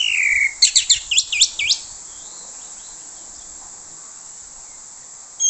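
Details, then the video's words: Orange-headed thrush singing to lure other thrushes. A falling whistle leads into a quick run of about six looping, rapidly repeated high notes, then only steady background hiss. "PANCINGAN ANIS MERAH suara plong bongkar usian bikin anis merah lain terpancing"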